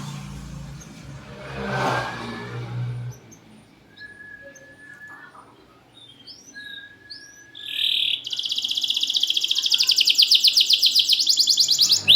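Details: Caged champion canary, recorded as a lure for canaries that sing too little. After low rumbling noise come a few scattered thin whistles, then a loud, fast, evenly pulsed trill of buzzy notes for the final four seconds.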